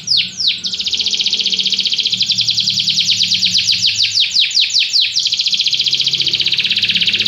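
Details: Canary singing, its song meant for another pet bird to follow: a few quick down-slurred notes open a long, fast, steady trill, broken midway by a run of sharp descending sweeps before the rolling trill resumes.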